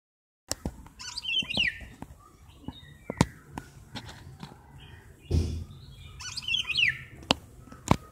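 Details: Golden oriole pair at a window, the male calling his mate and the female answering the same way from another side; two brief scratchy, whistled bursts about five seconds apart, with knocks and clicks of handling noise between.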